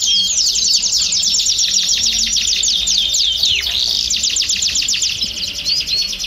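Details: Several domestic canaries in a chorus meant to stimulate birds to sing, producing fast, densely repeated high chips and rolling trills about 222 per minute, with a brief downward swoop midway.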